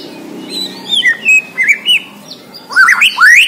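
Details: Vigorous song of a Borneo white-rumped shama: short whistled notes and slurred phrases in a loose sequence, ending in loud rising, rippling notes. The background is quiet.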